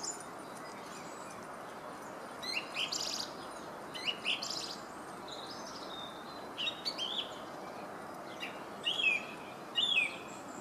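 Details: Song thrush singing in Herttoniemi: short, varied whistled phrases come in bursts about every one to two seconds. Some are quick repeated notes and some are sharp high flourishes, set over a steady low background hum.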